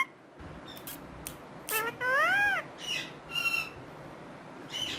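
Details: Pet talking parrot giving a few scattered sounds: short clicks, then a drawn-out arched whistled tone and brief squawky syllables over steady background hiss.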